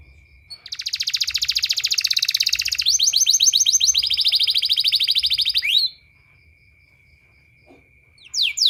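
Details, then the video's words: Canary song played as therapy for training canaries: a long, loud buzzy trill of about five seconds, changing speed and pitch midway, ends in a rising sweep, followed by quiet with a steady high tone. "suara terapi kenari ampuh"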